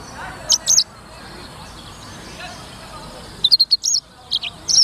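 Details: Black-throated canary, also called Edel's finch or sanger, singing in lively bursts. Short clusters of high, sharp chirps come at the start and again in the second half, with quiet hissy background between them.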